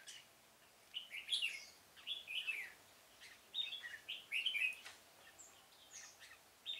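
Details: Red-whiskered bulbul decoy singing to lure wild birds during trapping in a pomelo garden, 25 October 2017; short whistled, warbling phrases in bursts separated by pauses of about a second, with a quiet background.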